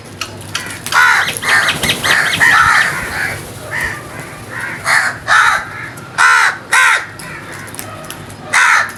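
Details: Several crows calling together, a busy run of hoarse, harsh caws overlapping at first, then single loud caws repeated roughly every half second to second, over a steady outdoor hum.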